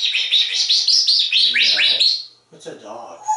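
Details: Talkative pet African grey parrot living in a home in Texas, mimicking other animals: a fast run of high, bright chirps about two or three per second, then sweeping rising notes, a short gap and lower warbled sounds indoors.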